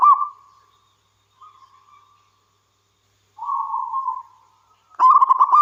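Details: Local wild zebra dove cooing: a tail of one phrase fades out, then soft level coos, a longer wavering coo, and the start of a loud bubbling staccato phrase cut off at the end.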